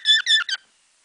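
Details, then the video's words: Pet cockatiel singing a sparrow-like phrase learned from birds outside the window: three quick, bright, harmonic chirps, the first two longer and even, the last shorter and dropping, then silence. "Корелла - воробей.Tweet"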